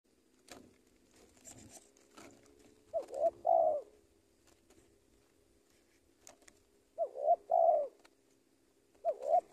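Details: Spotted dove, a tame decoy bird used for luring wild doves in Indonesia, gives two low cooing phrases about four seconds apart, each with quick short notes leading into a longer descending coo; faint clicks between.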